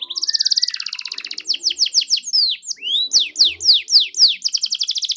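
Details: Singing canary in a 'pancingan' recording made to coax hesitant canaries to respond: a rapid trill followed by a run of loud, slow, sweeping downslurred whistles, then a dense trill again.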